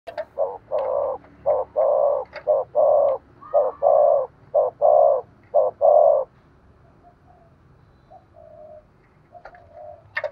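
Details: Spotted dove kept as a decoy bird, giving a sharp-voiced 'thúc gù' urging coo: a run of blocky, mid-pitched coo notes about once per second for six seconds, then fainter softer notes.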